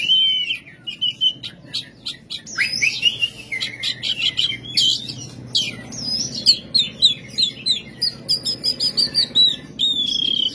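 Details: Oriental magpie-robin, a kept songbird, in full rough 'kasar' song: dense rapid chatter and clicks interwoven with sweet whistled slurs, turning into a series of evenly repeated notes and a long whistled trill.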